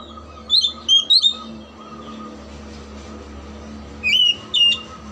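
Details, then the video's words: Kacer (oriental magpie-robin) singing as a lure for silent or lazy birds: a quick run of three bright whistled notes, a pause, then two more sharp whistles, against steady background hiss and hum. "PANCINGAN KACER MACET & MALES BUNYI AGAR JADI KACER RAJIN GACOR NGOBRA"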